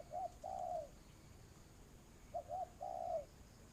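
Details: Decoy spotted dove used for bird trapping in Vietnam, two cooing phrases each of a brief note and a long slurred falling coo, separated by a pause of over a second, faint background hiss.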